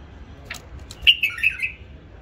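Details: A hybrid bulbul bred and reared by its owner gives a faint opening note, then a rapid, rich phrase of four or five warbled whistles that dip slightly toward the end. Faint hum in the background.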